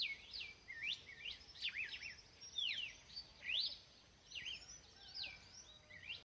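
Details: Red-cowled cardinal song of sweeping whistled notes, bursts of quick up-slurred and down-slurred phrases separated by brief pauses, with a quieter stretch near the end over light background hiss.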